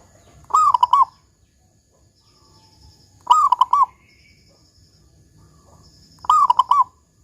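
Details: Local zebra dove in lively voice, big 'kung' tone, used as a lure to set doves singing: three repeated phrases about three seconds apart, each a slurred coo dissolving into fast pulsed notes, quiet between.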